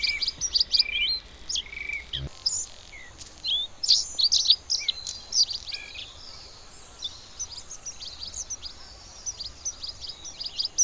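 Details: Bluethroat singing a long, lively sequence of sharp high chips, whistles and short trills, varied from phrase to phrase, with one brief low thump early on.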